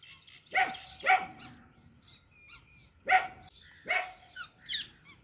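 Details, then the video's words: Young Alexandrine parakeet gives harsh, raspy squawks in uneven bursts, about one every second or two, with fainter chirps and whistles between them. "Baby Parrot Chirping Sounds"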